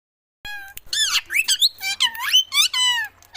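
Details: Parrot calling in a run of loud, clear whistled and squeaky notes that sweep up and down, following a brief silence at the start.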